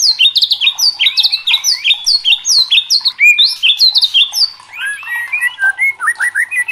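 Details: Murai batu (white-rumped shama) singing hard and agitated: a fast burst of high stacked whistled notes, then a shift to lower, more spaced warbled phrases with scratchy undertones.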